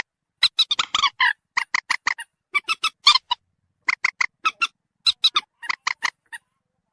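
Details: Lure recording of common moorhen calling to attract birds closer: a long, dense series of sharp, clipped squeaky notes, grouped in quick runs of two to four with short pauses, steady and loud throughout.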